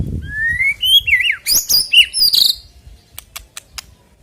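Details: White-rumped shama song played to prompt singing ahead of a bird contest: rising whistled notes sliding upward, then sharp clicks and a brief buzzy phrase, fading into quiet ticking.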